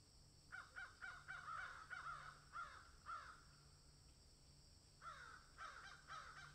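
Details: A crow calling from a tree, where it has found something: a run of harsh caws near 1.5k, quick series of about eight, a pause, then three more, over steady background hum.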